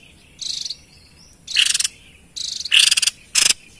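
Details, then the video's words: Energetic White-chested babbler, a lure recording for wild birds: four harsh, trilled bursts with gaps of about a second, the later ones louder and more broken into fast pulses. "Tepus Dada Putih Gacor l Cocok Untuk Pancing Bunyi & Pikat Burung Liar"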